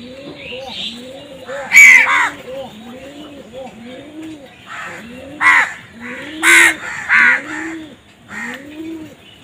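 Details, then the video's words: Crow cawing harshly in short, scattered bursts over a steady background of soft, rolling dove coos. "Crow Bird Crowing Sound"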